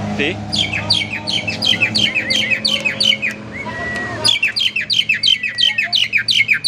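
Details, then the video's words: Caged Asian pied starling used as a lure song to get other birds singing: rapid, repeated sharp chirps and buzzy notes in quick runs, broken by one long even whistle, with faint room hum beneath. "Burung Jalak Suren Super Gacor, Pancingan Jalak Suren, Jalak Suren Bunyi Variasi"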